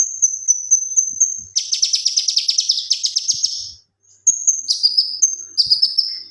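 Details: Gacor tembakan song of a male kinoi leafbird kept for training other birds: quick high whistles, a long harsh rattling trill, then slurred whistled phrases dropping in pitch.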